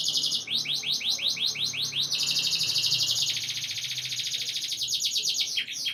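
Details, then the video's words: Canary song for breeding conditioning of females: a string of quick upward-sweeping notes, then a dense buzzing trill that steps down into lower rolls, ending with a few sharp notes. "Ultimate Canary Breeding Conditioning Audio — Boost Your Female’s Mating Instincts Fast"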